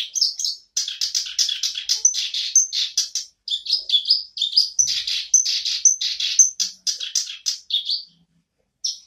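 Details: Black-browed reed warbler's resumed song, a long, energetic medley of grating chattering notes and thin high whistles repeated in quick succession, stopping briefly near the end.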